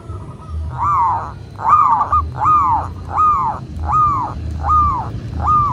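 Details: A local zebra dove in Indonesia, recorded as a master to make kept doves call, repeats rounded arched coos roughly every 0.8 seconds, seven in a row, with a faint low rumble behind.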